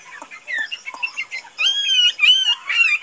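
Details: Tame Chinese hwamei that can be let out free without flying away: soft clicks and short scattered notes, then loud, clear whistled phrases with rich overtones, each held about half a second and repeated three times.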